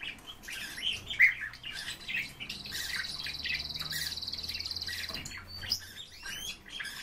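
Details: Siberian rubythroat singing, a bird kept by its owner. Short bright chirps open the phrase, then a long steady buzzy whistle holds for nearly three seconds before ending with high sharp notes, over faint low room noise.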